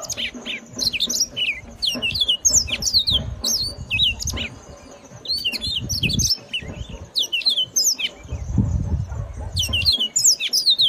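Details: Clear, loud song of a yellow-fronted canary: bursts of quick, high whistles and chirps in lively phrases separated by short pauses, with intermittent low rumbling noise underneath.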